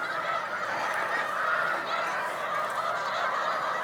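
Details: Distant roar of a huge Snow Goose flock resting on Cayuga Lake, New York, during spring migration in March 2021: unbroken, blended honking from many birds at an even level.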